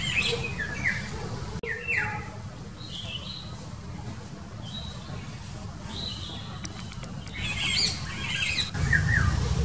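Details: An Indian golden oriole (Oriolus kundoo), probably a male, calls intensely in the morning on 25 March 2019 near a park by a busy road, with short harsh squawky notes and brief whistles, other birds chirping over a low rumble.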